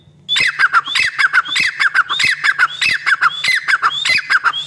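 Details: Female black francolin calling, a rapid series of harsh, grating squawks, each phrase opening with a short rising whistle, repeated steadily at well over one note per second.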